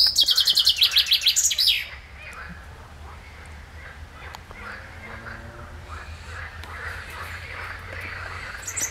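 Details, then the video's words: Common chaffinch song recorded 15 June 2020, opening with a fast trill of repeated high notes that falls into a closing flourish within two seconds, followed by a long quiet outdoor background. "Zięba Pospolita"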